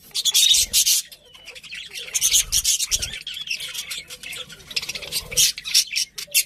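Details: Budgies chattering: continuous dense, scratchy high chirps and squeaky warbled notes rising and falling in loudness, with short louder bursts throughout.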